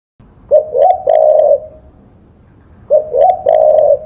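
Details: Spotted dove song for songbird training: two phrases, each with two quick rising coos followed by a long, drawn-out purring note, separated by a short pause.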